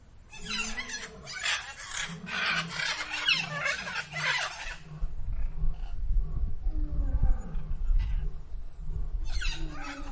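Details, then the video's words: Female Indian peafowl (peahen) at Zoo Villa Dolores gives a run of low, nasal honks in quick bursts over rough wind or rustling noise. "what does a female peacock sound like"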